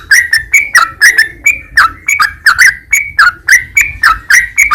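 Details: Training recording meant to make caged sooty-headed bulbuls sing: a bright, bubbly run of short slurred whistles rising and dropping in pitch, repeated rapidly and irregularly over a quiet background.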